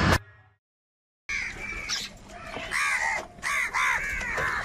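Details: Crows fighting over food, several harsh, arched caws overlapping from about one second on, after a short burst of noise and a gap of silence at the start.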